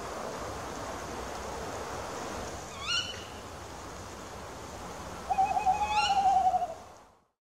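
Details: Tawny owl: a brief sharp rising note, then a long quavering hoot with another sharp rising note over it. The sound fades out at the end over a soft, steady background hiss.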